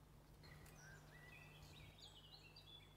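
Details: Osprey at a Poole Harbour nest on the morning of 26 April, with black plastic at the nest being beaten and taken away: a series of thin whistled chirps, some rising, some flat, over steady low rumbling noise.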